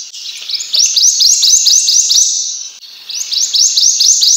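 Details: Two phrases of prothonotary warbler song: steady strings of loud, upward-slurred whistled notes, the first about eight notes long, the second starting after a brief break.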